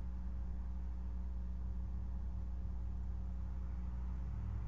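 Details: A steady low engine-like hum with a droning low rumble throughout, and no animal voices.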